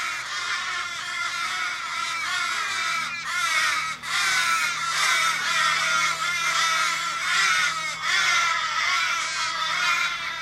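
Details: A dense chorus of Australian ravens in a Kellyville street, Sydney, 1 July 2012, distressed by an injured flock member. Many grating, wavering wails overlap continuously with scarcely any pause.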